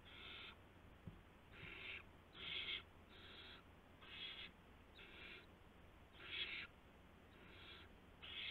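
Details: Owlets at a nest on the night of March 19, 2016, fed mice and a gopher by the adults. Nine or so short, coarse hissing bursts follow one another at fairly even intervals, loudness rising and falling, with faint clicks.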